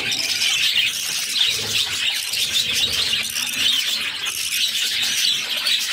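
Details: As their mother feeds them, six captive budgerigar chicks keep up a loud, busy high-pitched squeaking, rapid and overlapping from start to end.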